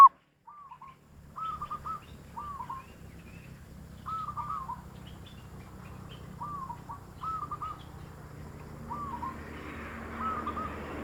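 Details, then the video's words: Zebra dove calls for drawing in wild doves: a string of short, soft rolling coo phrases repeated every second or two, with rising hiss toward the end. "suara perkutut paling ampuh utk pancingan perkutut liar"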